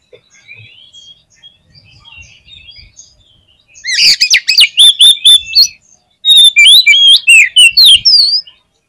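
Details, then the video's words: Oriental magpie-robin song used to test and rouse a kept bird's fighting spirit: after quiet faint chirps, loud bursts of rich whistles, sharp rising and falling notes and buzzy trills from about four seconds on, with a short pause midway. "TES MENTAL KACER DENGAN SUARA KACER GACOR INI !! MENTALITAS KACER LANGSUNG NAIK"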